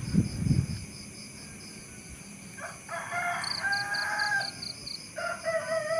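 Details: Rooster crowing after a short low thump, a drawn-out harmonic call beginning near the third second and rising again toward the end, over a steady high insect buzz.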